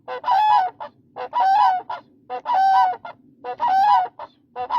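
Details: Demoiselle crane, known locally as koonj, giving loud honking, trumpet-like calls with a warbling, rising-and-falling tone, in bursts of about one per second, with a short note between them and a low background rumble.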